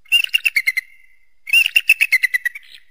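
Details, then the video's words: An eagle gives two bursts of rapid, high, chattering notes, about six a second, each series sliding slightly lower and ending in a thin whistle. "eagle and its distinctive voice"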